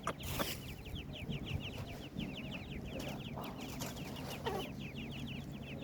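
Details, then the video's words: Several partridge chicks cheeping continuously, short high descending peeps tumbling over one another in quick succession, with a steady low hum and occasional clicks and knocks behind them. "partridge Chicks bird voice,teetr kr awaaz"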